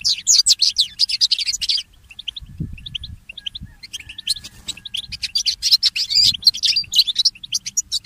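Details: Mule goldfinch morning song: a burst of rapid twittering, a quieter spell of scattered single chirps, then a renewed dense stream of high warbling notes.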